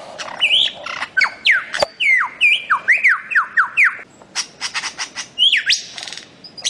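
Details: A bird-of-paradise gives a run of loud, sharp whistles, each slurring downward, repeated roughly twice a second. Dry clicking notes and a final rising-then-falling whistle follow.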